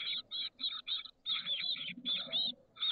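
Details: Chestnut-backed chickadee nestlings, 13 days old, in a nest box on the San Francisco Bay south peninsula, 30 May 2023, a brood of six hatched 17–18 May. Dense, buzzy, harsh call bursts run almost without pause, with brief gaps.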